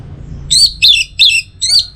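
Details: Orange-headed thrush, prompting audio for kept birds: four quick high chirped notes spaced evenly across two seconds, with a faint low hum beneath.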